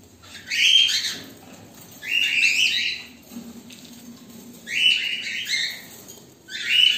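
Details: Black and white cockatiels waiting: loud, harsh, slightly rising screeches in bursts roughly every two seconds.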